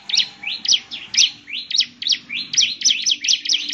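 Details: Lively 'gacor' singing from a bar-winged prinia, played so other prinias respond: high upslurred notes rising into sharp chirps, repeated about twice a second, getting denser toward the end.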